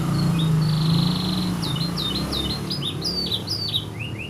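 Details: Canary taught bar-winged prinia song: a thin sustained high whistle, then a quick series of short downslurred chips and paired swept notes, with a constant low hum underneath.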